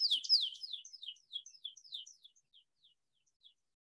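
American Pipit giving a quick series of high, clear, down-slurred notes, about three per second, fading away over a few seconds; nothing else is heard.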